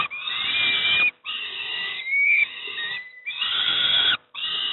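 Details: Wheezy, grating screams with a thin rising whine come from young peregrine falcons receiving breakfast at Moszna, Pruszków, Poland, in four long bursts separated by short pauses.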